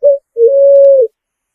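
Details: Picazuro pigeon (pomba asa branca) giving a brief low note and then one drawn-out, even coo ending in a slight downward bend, with no other sounds.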